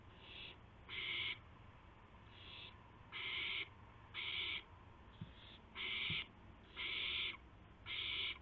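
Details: Owl delivering a gopher, 2 April 2016 at 2:51 AM. Rasping hiss-screeches alternate between softer and louder bursts, irregularly spaced, with a couple of faint clicks in the pauses.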